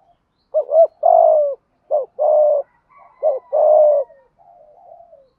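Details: Spotted dove of Malaysian type, cooing in the thúc gù style: three loud phrases, each a brisk two-part note followed by a drawn-out, resonant, downward-sliding coo. The clip ends with a soft trailing murmur.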